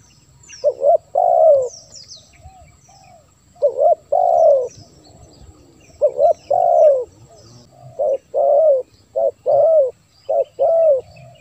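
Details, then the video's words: Wild-dove lure of spotted dove cooing: a series of double coos and longer soft hoots, irregularly spaced at first then coming faster toward the end, over scattered high bird chirps. "Suara Terkukur//Untuk Memancing Burung Terkukur"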